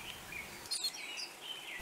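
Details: Reunion grey white-eye (Zosterops borbonicus borbonicus), endemic to Réunion and moving in small foraging troupes, gives thin, high chirps and brief twittering notes over about two seconds against steady outdoor background noise.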